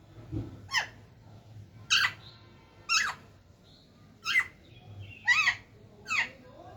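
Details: Pet talking parrot making a series of about seven short, rasping squawks at uneven intervals of roughly one second, after a brief low human sound at the start, against quiet indoor hum.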